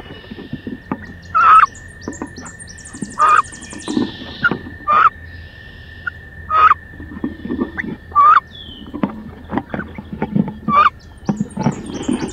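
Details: Fierce fight between two female wood ducks in a nest box, 16 May: loud squealing calls repeat roughly every one and a half seconds amid rustling and bumping, over a steady electronic hum.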